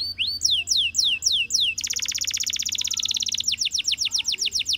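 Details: Canary song: a few slow, loud downslurred whistles, then a very rapid, even rattling trill, followed by quicker repeated descending whistles.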